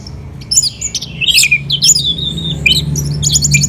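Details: Indonesian captive Orange-headed thrush singing: a tumbling mix of buzzy chatter and slurred whistles dropping in pitch, followed by thin high notes, with a steady low droning hum beneath.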